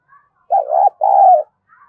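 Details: A spotted dove coos to stimulate other doves: two deep, purring, buzzy notes, each about half a second long, given back to back in a clean recording.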